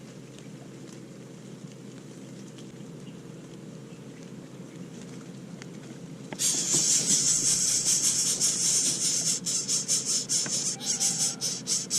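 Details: A low steady background hum gives way after six seconds to loud hissing, pulsing noise, with no clear animal call.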